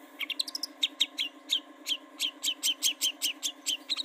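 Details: Long-tailed shrike song meant to prompt other birds to sing: a brisk, fairly even series of sharp chirped notes, roughly three per second, with a faint steady hum beneath.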